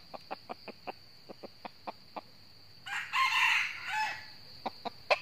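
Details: Trapping scene for wild red junglefowl in the north, with a cock crowing in challenge at a decoy. Sharp ticking clicks repeat about every quarter second, broken by a more distant, hoarse crow of about a second mid-recording, then more clicks.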